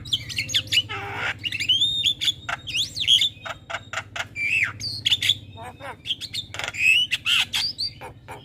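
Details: Javan myna singing busily in the morning, a tutor and lure recording: varied whistled phrases that bend up and down, mixed with harsh squawks and rapid clicks, over a steady low hum.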